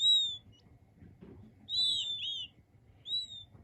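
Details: Peeping king quail chicks give clear, high, slightly falling whistles, some drawn out and others in short doubled bursts, separated by brief pauses over a soft low hum.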